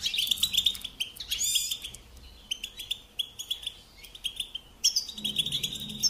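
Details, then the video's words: Goldfinch singing a rapid, tinkling twitter of high chirps and trills in short bursts, with a brief quieter lull before the chattering resumes, and a faint low hum near the end. "Supporting and Singing Along with Goldfinches"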